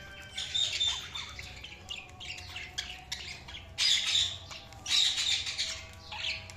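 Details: Budgies give rapid, squeaky chirps in loud bursts roughly every second, separated by quieter twittering, with bright whistled notes inside the louder clusters.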